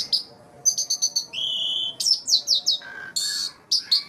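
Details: Asian pied starling (jalak suren), sung to lure nervous starlings: rapid pips, a long steady whistle, a string of harsh downslurred chirps, a lower throaty note and raspy bursts.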